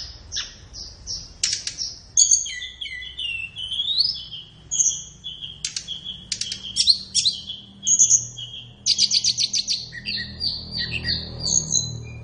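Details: Flowerpecker song for training captive birds, best played in the morning or afternoon: a rapid, varied run of thin, very high chirps, ticks and short rising whistles, ending in a fast trilled series; low faint background hum.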